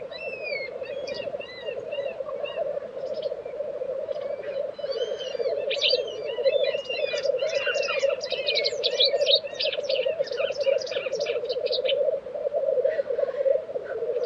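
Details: Spring lek of black grouse in Tiveden, Sweden, April 2023. A low, rolling bubbling continues beneath a busy chorus of varied high songbird phrases that swells in the middle.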